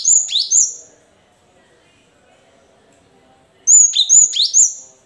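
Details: Cinereous tit song used to coax silent caged tits into answering: a pair of high, slurred whistles falling sharply, then after a pause a quicker run of four similar descending notes, loud and clear against a quiet background.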